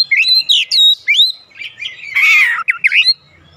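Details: Short Oriental magpie-robin song phrase used to provoke responses from birds at home: a few clear whistled slurs followed by a rough harsh burst and quick buzzy notes.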